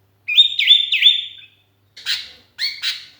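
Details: Sooty-headed bulbul calling for companions, used as a lure; a sustained whistled phrase with two quick downward dips, followed by two short harsh chirps.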